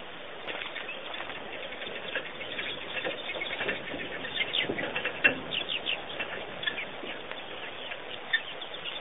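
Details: Birds at Pete's Pond, Botswana, Africa: a steady mass of high, short chirps and twitters with soft fluttering, pattering sounds underneath and a few louder sharp notes standing out near the middle and end.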